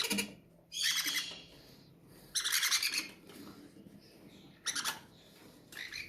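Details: Young aviary-bred parrots begging greedily while being fed, with loud rasping, noisy squawk bursts lasting about a second, spaced a couple of seconds apart, and fainter chatter between.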